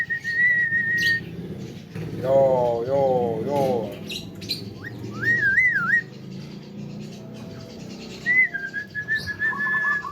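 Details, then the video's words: Tame Javan myna mimicking speech: steady whistles, then a wavering voice-like phrase and a looping whistled squiggle, ending in level whistles, over a low musical hum. "BURUNG JALAK KEBO JINAK PANDAI BICARA"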